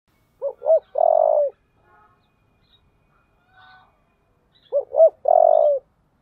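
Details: Spotted dove cooing in the 'giọng thổ' voice style, calling to provoke a fight: two short hooting notes then a longer buzzy, gently falling coo, the phrase repeated about four seconds later, with a quiet background.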